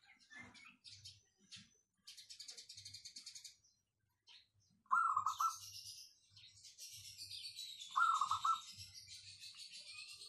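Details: Local wild zebra dove singing with a clear, dense voice used as a lure bird: two rolling, trilled coo phrases about three seconds apart, with high chirps from other birds and soft low knocking between them.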